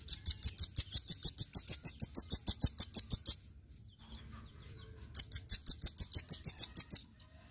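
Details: Velvet-fronted nuthatch giving its everyday calls: fast runs of sharp, high ticking notes, about five a second, in two bursts with a short quiet gap.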